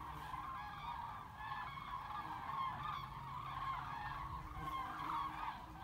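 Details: Flock of cranes on migration over Bremen, Germany, 30 October 2016, re-forming their formations above the Weser: a continuous chorus of far-off bugling calls blending together, with steady low traffic rumble underneath.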